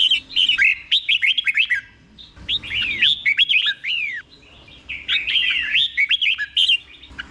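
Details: Red-whiskered bulbul song in the Thai เบิ้ล (double) style, sung slowly and clearly, played for caged bulbuls to copy: bursts of quick whistled, up-and-down slurred notes, several phrases separated by short pauses.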